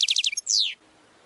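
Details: Goldfinch training song fragment: a quick series of four high chirps followed by a long, falling, slightly buzzy slur, then silence.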